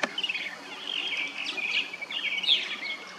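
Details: Purple martins from a backyard colony nesting in plastic gourd houses in St. Catharines, Ontario, Canada, chatter and chirp in overlapping liquid twitters with short rising notes from several birds at once, over faint background hiss.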